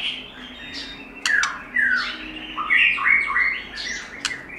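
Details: White-rumped shama in forest-voice song, meant for training and rousing birds: varied whistled phrases with sharp clicks and slurred notes over a steady background hiss.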